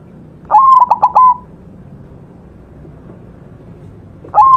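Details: Cooing phrase from a white zebra dove in full song: a rising start, a drawn-out tone, then rapid short notes and a final held coo. A quiet pause follows before the next phrase begins at the end.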